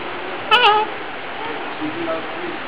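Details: A talking cockatoo at a hotel in Batam gives one brief, voice-like spoken syllable that slides slightly downward, followed by quiet background murmur.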